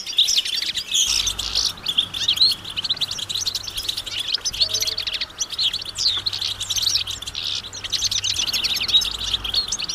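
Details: Chorus of European goldfinches outdoors, readiness and mating calls said to make males sing: loud, dense high-pitched twittering and jangling chirps from many birds, continuous throughout, over a steady faint hum.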